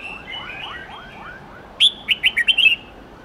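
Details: A red-whiskered bulbul, sung in the wild-forest style for teaching young birds, gives a sharp loud opening note followed by a rapid string of five or six warbling whistled notes, after softer descending phrases from a distant bird.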